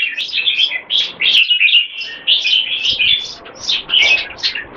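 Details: Two caged competition red-whiskered bulbuls in fast display singing. Quick, clear warbled notes tumble in rapid bursts, with occasional sharp clicks in the background.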